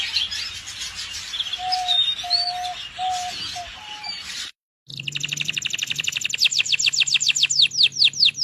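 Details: Canary song. The first half is a busy mix of several birds with low steady whistles. After a short break comes a loud, rapid, evenly pulsed trill of high sweeping notes that grows stronger toward the end.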